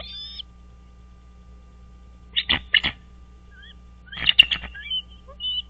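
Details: Wild American bald eagle at its nest on Dale Hollow Lake, a reservoir on the Kentucky-Tennessee state line, at 05:51 on 4 March 2023; two bursts of high, rapid chittering notes with thin whistled tails, separated by quiet and a steady low hum.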